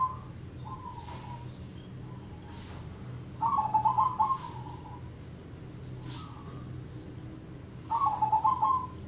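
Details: Local zebra dove giving the crossing triple ketek song style: rolling cooed phrases of rapid soft notes alternating with quieter single coos, repeated every few seconds over low steady hum.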